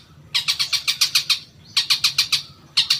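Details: Long-tailed shrike lure song, used to provoke caged shrikes into answering and singing; harsh, buzzy notes fired in rapid bursts of about eight, with a short pause between bursts.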